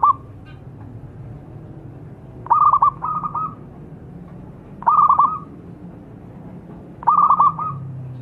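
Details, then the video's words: Zebra dove song played as a lure to make birds sing: bursts of rapid stuttering coos near one pitch, each about half a second to a second long, repeated every two seconds or so over a low background hum. "SUARA PERKUTUT GACOR PANCINGAN PALING AMPUH"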